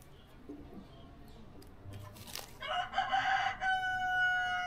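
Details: A Brahma rooster breaks a noisy, murmuring background with a loud, strained crow in the final two seconds: a buzzy burst followed by a held, even tone.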